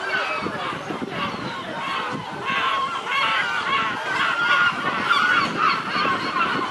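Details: Noisy seagulls in the Nesebar area, Bulgaria: a dense chorus of overlapping wailing, slurred calls from many birds, continuous with no pauses, over a steady broadband background hiss.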